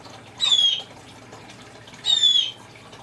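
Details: Congo African grey parrot copying a blue jay with two raspy, downward-sliding calls about one and a half seconds apart, over a faint background hum.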